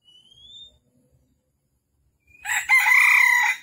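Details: Red junglefowl at a trapping site in Vietnam, morning of 13 December 2021; a faint thin rising whistle at first, then a loud, rich, harmonic crow held for about a second at the end.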